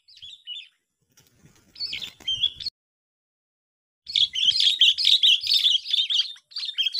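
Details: Sooty-headed bulbul recorded during lure trapping at a park, sixth day. Brief high whistled phrases with a faint rustle come first, then a pause. After that, a loud, continuous run of fast, chirpy, jumbled notes lasts about three seconds.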